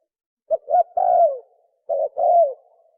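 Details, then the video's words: 'Sấm chuông' cooing of a spotted dove, meant to excite males, females and wild birds: short clipped notes leading into a long downward-sliding coo, repeated twice with a brief gap, with nothing else heard. "Tiếng chim cu gáy sấm chuông cực chất cực hay kích trống kích mái kích bổi"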